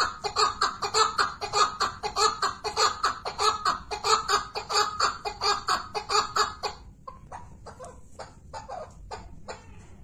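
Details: Chukar partridge giving a fast, harsh chuckling series, about one and a half notes per second, steady and loud for seven seconds, then thinner, softer clucks to the end.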